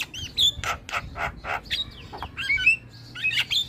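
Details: Javan myna song used to draw responses from other starlings: rasping squawks in a steady series, broken by short sliding whistles and a thin, sustained whistled note near the end.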